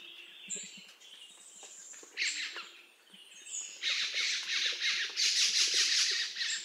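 Black-throated magpie-jay giving harsh, raspy, broad-band calls in quick bursts, building to a loud scratchy chatter in the second half; faint softer chirps underneath.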